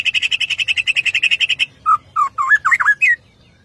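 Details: White-rumped shama of the Borneo type singing energetically: a fast string of about twenty buzzy repeated chattering notes, then short looping whistled phrases that swoop up and down.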